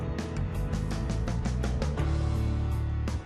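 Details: Steady instrumental music with plucked guitar-like notes and a heavy bass line; no animal sounds.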